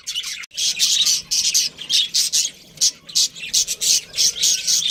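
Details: Pet budgie chirping in short bright bursts of shrill, buzzy twitter, separated by brief gaps, about two or three bursts each second.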